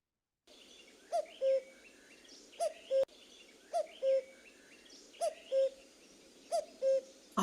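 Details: A common cuckoo heard in spring gives its falling two-note 'cu-coo', repeated about every one and a half seconds over a steady background hiss.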